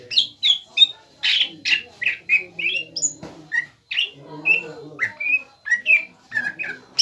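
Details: Greater green leafbird singing to goad a rival bird into calling back: rapid series of sharp whistled notes and squeaky chips, each phrase changing pitch, delivered in steady bursts roughly every half second with faint lower chatter behind.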